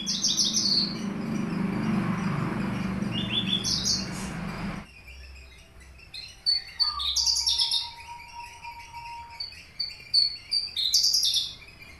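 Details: Caged Horsfield's bush lark of subspecies aliena from Papua, kept three years, singing with finch-song fills: bursts of high, rapid chirped and trilled phrases after a loud, broad rushing noise in the first seconds, plus one steady mid-pitched whistle.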